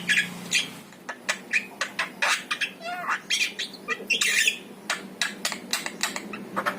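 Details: Javan myna, the yellow-eyed jalak kebo, singing for use in training a caged pet myna to sing. A fast run of harsh squawks, clicks and short chattering notes, some ringing and metallic, with a low steady hum behind.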